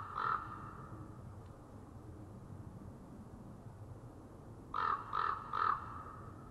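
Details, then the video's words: Ravens gathering in the deep blue early-morning light, 8 January 2013: one hoarse croak, a long pause with low background rumble, then three quick throaty croaks in a row about half a second apart. "Ravens in Blue Hour"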